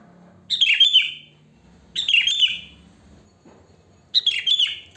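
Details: Wild sooty-headed bulbul with natural song, no learned fill: three warbling, gurgled phrases about one and a half to two seconds apart, clear and bright over faint low background noise.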